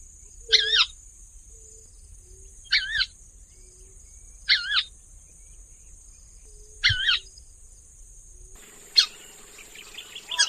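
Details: Crake of wetlands, marked by a small black mask edged with bold white stripes, calling a raspy, wavy kawa four times at roughly two-second intervals, followed by fainter sharp notes and faint low rumble.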